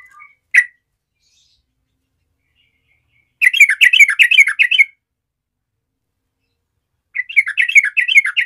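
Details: Yellow-vented bulbul challenging rivals: a single sharp note, a long silence, then a burst of fast chattering warbles lasting over a second, followed after another pause by a similar bubbly phrase.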